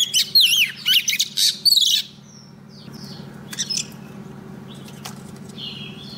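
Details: Female Oriental magpie-robin singing to draw a male, used as a lure: two seconds of loud warbled, twisting whistles and buzzy notes, then faint scattered chips over a low hum.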